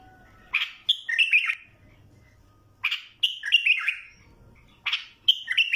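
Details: Bulbul singing short phrases of fluty, warbling notes, each burst about a second long, repeated every two seconds or so, with quiet low background hum between phrases.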